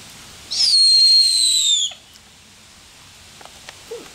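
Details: A Snowy owl at Tattershall Farm Park, Lincolnshire, in October 2022, gives one long, high, thin whistle that dips slightly and then holds steady for over a second, followed by quiet with a few faint clicks.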